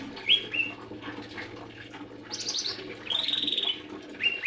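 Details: Lesser green leafbird song of short separate phrases: a sharp whistled note, a brief pause, then a buzzy rising burst, a longer steady warbled note and another clear whistle, with a low hum underneath.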